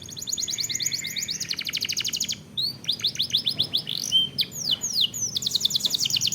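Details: Canary song for teaching and triggering singing: an extended rapid high trill followed by curved whistled slurs and another rolling trill, continuous throughout.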